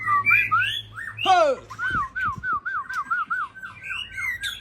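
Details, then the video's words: White-rumped shama from Aceh in evening song, opening with bright whistles, then one harsh, rasping burst, followed by a steady string of evenly spaced looping whistled notes and a higher whistle at the close. "Murai Aceh # SMBF Indahnya Kicauan Sore"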